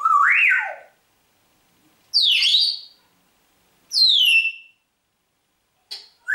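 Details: Rudi, a talking parrot in Hammelburg, Germany, gives loud, harsh, wavering calls, some whistled and some squawking, in four bursts about two seconds apart with silence between, just after saying "hallo".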